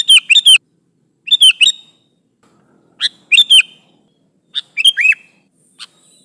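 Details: A lively Sooty-headed bulbul calls to its companions, recorded for use as a lure. Short chirpy phrases of three or four rapid bubbly notes come in quick succession, five bursts with brief gaps, plus a faint high single note near the end.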